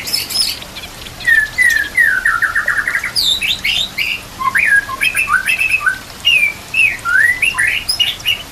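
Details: White-rumped shama (murai batu) in full song, set with nature sounds and trickling water: loud varied whistles, slurred rising and falling notes, and short sharp chips crowded together in quick phrases.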